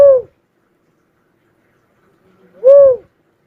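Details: Two mellow, arched hoot notes from a cuckoo-dove, about two and a half seconds apart, each rising then dropping, with silence between.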